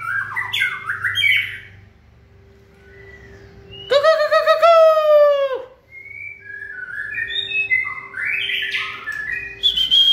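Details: White-rumped shama singing in peak form during the 2020 season; a loud, drawn-out harmonic note falling at its end, surrounded by softer fluty whistles and rising phrases, with a steady thin background tone.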